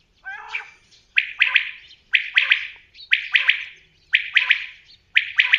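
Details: A low, throaty growl begins, followed by loud, bright common quail phrases of three rapid notes, repeated steadily about once a second.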